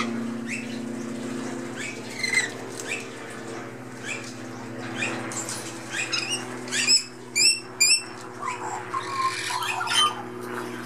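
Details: A young Australian magpie chick chatters with lorikeets and blue-faced honeyeaters in a back garden, in scratchy, squawking bursts with sharper notes near the end, over a steady low electrical hum.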